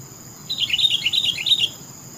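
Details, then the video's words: Melodious kutilang, the sooty-headed bulbul, delivering one continuous phrase of about eight bubbly, rapid whistled notes lasting just over a second, with quiet background hiss. "Suara burung Kutilang TOPCER merdu sekali"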